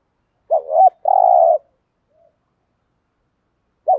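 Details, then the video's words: Spotted dove from local fields cooing to provoke wild males as a lure. One wavering double note running into a long, low, steady hoot, then silence until another wavering note begins. "tiếng cu gáy thổ đồng thúc gù bài bản"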